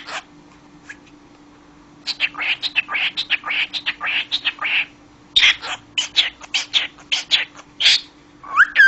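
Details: Talking pet cockatiel: after two quiet seconds, a rapid run of short, harsh chattering syllables, a brief pause, then more quick speech-like chatter, ending on a sharply rising whistle; a steady faint hum underneath.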